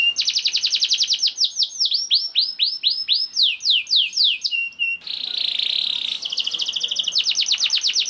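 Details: Canary song to encourage other canaries to sing, opening with a very fast rolling trill, slowing into spaced downward whistles, then a harsh buzzing stretch before another rapid trill.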